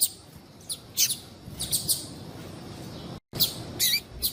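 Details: Female double-collared seedeater piadeira calling to stimulate males: scattered short high chirps, some doubled, with a brief complete silence partway through, over soft low background noise.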